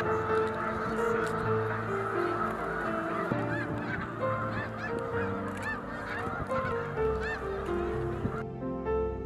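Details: Snow geese (Anser caerulescens), a large flock on spring migration stopover at Middle Creek lake, central Pennsylvania, March 11: dense, unbroken chorus of high, nasal, barking honks as flocks return and land at dusk, faint background tones possibly music.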